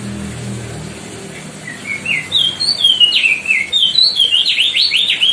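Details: Decu Timor, the White-bellied bushchat, in loud full song used as a master recording for other songbirds: a quiet start building into fast, bright slurred whistles and quick repeated zigzag notes.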